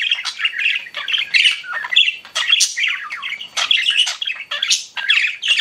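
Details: Pet budgerigars chatter in bursts of scratchy, squeaky chirps and harsh squawks, with brief gaps and bright whistled accents between phrases.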